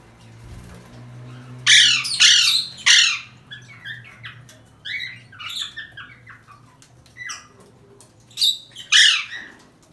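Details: Parrot named as an Alexandrine parakeet, trying to escape, utters a run of raucous screeches followed by a string of softer chattering notes and two more loud shrieks near the end.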